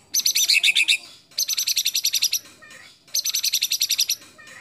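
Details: White-rumped shama delivering a judge-favoured mimicry phrase: three separate runs of fast, harsh, high chattering notes, each lasting about a second, with short pauses between them.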